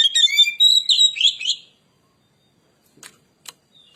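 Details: Oriental magpie-robin singing a lure song: a fast burst of whistles and trills lasting under two seconds, then silence broken by two sharp clicks.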